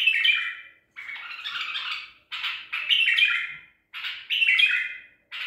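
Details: Singing white-eared bulbul, Baghdadi tor type, trapped at Medical City, April 2021. Rich warbled phrases with harsh, squawky edges come in bursts about a second long, each quickly followed by the next.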